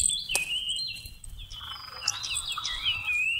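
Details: Seychelles magpie-robin singing, recorded for bird trapping in November 2016; clear whistled notes slide down then level off, followed by a run of quick warbled twists, with steady low rumble behind.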